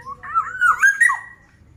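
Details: Fluty, warbled whistling from a black-naped oriole in full voice, several linked notes rising and falling within about a second, over a faint low hum.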